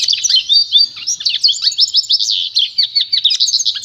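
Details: Pintagol song for training young birds: high, bright twittering delivered in quick bursts several times a second, busy warbling trills with short downward chirps, continuous from start to end.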